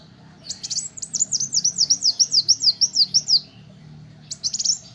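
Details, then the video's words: Little spiderhunter song prepared as a tutor track for songbirds: a rapid chain of piercing, high, downslurred notes over about three seconds, then a brief chattering flourish after a short gap. A low hum runs throughout. "Kolibri wulung untuk masteran dan pancingan burung kicau"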